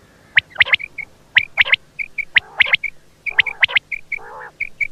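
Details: Quail calling: sharp whistled notes given in quick clusters of two or three, each cluster about a second apart, with short clipped whistles between them and a lower nasal burst near the end.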